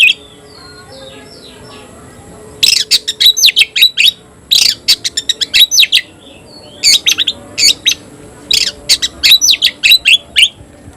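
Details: Oriental magpie-robin in captivity singing the new 'tayoraky' variant. Soft warbling opens the song, then loud clusters of rapid staccato chips and whistles repeat in bursts separated by short gaps.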